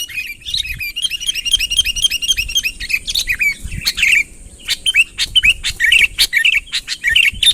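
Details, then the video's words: Sooty-headed bulbul in full voice, calling a rival to approach, unaltered recording: a dense chatter of fast, twangy notes at first, then spaced, bubbly, slurred phrases separated by sharp clicks. "suara burung kutilang ASLI tanpa isian, gacor memanggil lawan mendekat"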